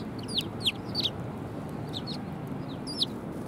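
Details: Several sparrows arriving for food at Tenmangu shrine, 18 December 2020, give quick, bright, downslurred chirps in a loose cluster, then a pause and a final chirp, against soft background noise.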